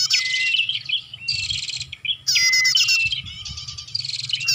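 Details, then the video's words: Prinia calls for luring birds: sharp, buzzy rattling bursts and high chips, with a thin rising whistle, repeated in quick phrases with brief gaps. "Suara Pikat Burung Prenjak"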